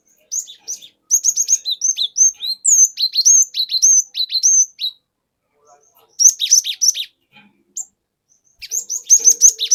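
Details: Cinereous tit lure song in the long rolling style: a sustained run of fast, sharp, high-pitched downslurred whistles lasting about four seconds, then two shorter bursts of rapid chirps.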